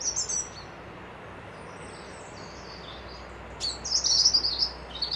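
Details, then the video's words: Near a loch at a Dundee lodge, a bird gives a brief high twitter, falls quiet, then launches into a rapid, jingling burst of very high notes. "Birds whistling"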